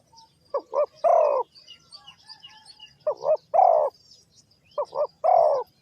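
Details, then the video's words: Spotted dove by a bird trap in Ninh Thuận giving three soft cooing phrases, each made of two short notes and a prolonged, slightly descending coo. Light twittering from other birds fills the gaps. "The Sound Of A Spotted Dove is very good,Cu gáy Ninh Thuận"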